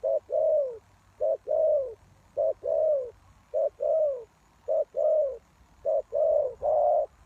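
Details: Spotted dove used as a lure for wild doves, cooing persistently. About six phrases run back to back, each a short note and a longer falling coo, with a double note near the end.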